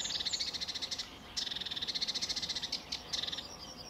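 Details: Sedge warbler, possibly male, singing lively on an early sunny July 2013 morning at RSPB Fowlmere: a fast, scratchy chatter of high, dry notes repeated in rapid bursts, broken by brief pauses.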